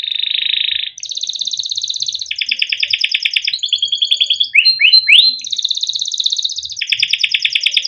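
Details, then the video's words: Kept canary delivering a long rolling song used to train young canaries: continuous buzzy rolls stepping between pitches, broken midway by a few quick upswept whistles before the rolling resumes. "kenari gacor PANJANG CUIT CUIT untuk pancingan kenari paud agar bunyi"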